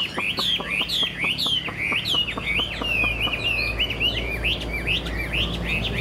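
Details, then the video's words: A Chinese hwamei caught this year and said to sing well delivers a continuous chain of bright, looping whistles, with a rapid series of dry clicks in the background during the first half. "Họa mi chuyền năm nay, cực kỳ tố chất, vẩy đuôi khướu, hót tốt"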